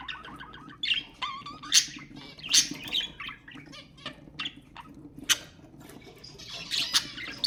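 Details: Budgerigar chatter for stimulating budgies: scratchy, buzzy warbling mixed with sharp squawks and quick ticking notes, uneven in rhythm, with a rasping, noisy burst near the close.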